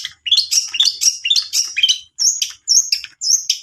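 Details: Long-tailed shrike song used as a lure to prompt a reluctant bird to sing: rapid, varied high chirps and squeaky trilled phrases, sometimes sliding, in quick irregular bursts with short gaps.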